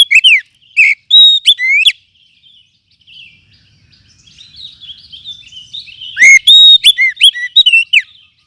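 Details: Oriental magpie-robin from the forest, used as a lure and for tutoring other birds: clear swooping whistles at the start, a middle stretch of quiet, thin chattering twitters, then a loud, rapid series of ringing whistled notes.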